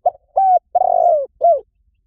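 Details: Lure call of a spotted dove: one phrase of four mellow coos, a short first note, a level hoot, a long fluttering coo, then a brief falling note, with nothing else heard.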